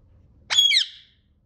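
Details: Pet parrot described as jealous and angry, giving one harsh squawk about a third of a second long, a loud broadband burst with a falling tail, in a quiet small room.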